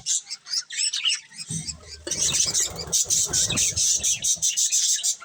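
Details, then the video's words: High chirps from colourful budgies start sparse and separate, then become a fast, steady chirping pattern, while low rustling and fluttering noises run through the middle. "Colourful Budgies Chirping Sounds"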